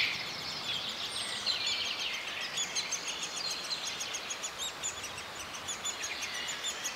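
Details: A male lesser spotted woodpecker at its nest cavity in dead wood in the Czech Republic, bringing food to its young: a busy stream of thin, high chirps and quick ticking notes, growing denser midway, over soft outdoor hiss.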